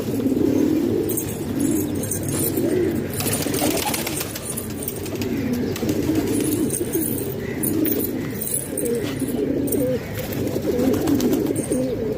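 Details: Several house-kept pigeons in Pakistan produce a continuous chorus of low throaty coos, phrases overlapping through the whole stretch, with faint higher chirps and a droning background.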